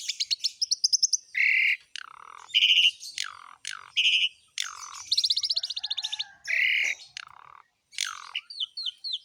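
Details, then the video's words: Asian pied starling in lively, varied song: quick high trills, harsh buzzy notes, loud downslurred squawks and a rapid ticking series, delivered in irregular bursts. "KICAUAN BURUNG JALAK SUREN GACOR FULL ISIAN MEWAH"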